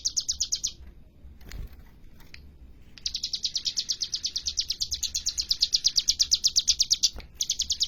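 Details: Hill prinia (cigun, ciblek gunung) singing vigorously: a quick rattle of high, bright chips, then a pause of about two seconds with faint rustling, then a long, even burst of rapid repeated notes that grows louder.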